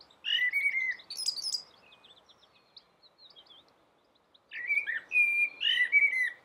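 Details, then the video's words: Rooftop common blackbird in the dawn chorus delivers a mellow whistled phrase with a squeaky high flourish. Faint scratchy twitters follow, then another run of fluted, slurred notes after a brief quiet gap. "Blackbird singing"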